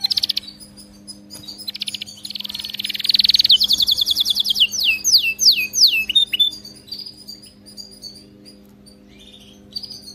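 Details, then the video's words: Canary song meant for training other canaries to sing: a buzzy rolled trill, then a run of fast rising notes and a series of clear downward-sweeping whistles, fading into softer scattered chirps. "صوت كناري مذهل لتدريب وجعل طائرك الكناري يغرد بلا توقف canary singing training bird"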